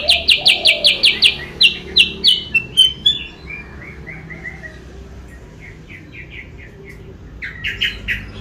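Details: Sooty-headed bulbul lure call, used to draw rivals closer: a fast series of bright, clipped chirps, then softer falling notes that fade, and a fresh burst of sharp chirps near the end.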